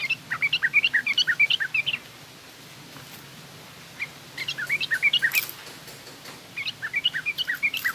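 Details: Yellow-vented bulbul, 'garuda' song followed by rough 'ngriwik' chatter for training young bulbuls. Three bursts of rapid, bubbly chirping notes over a constant background hiss and hum, with a few sharp clicks.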